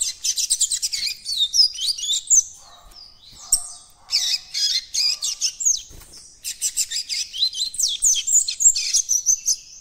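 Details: Juvenile captive White-throated Seedeater trying to open its learned encarte song: long, jumbled, high warbling with quick chirps and slurred trills, broken by a quieter pause with a soft low hum, then resuming in rapid bursts.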